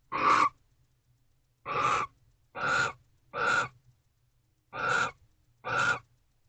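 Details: Night-time face-off between barn owls at their nest box in mid-December: six raspy, hissing screeches, each roughly a third of a second, sound at irregular intervals of about a second, with a faint low hum behind them.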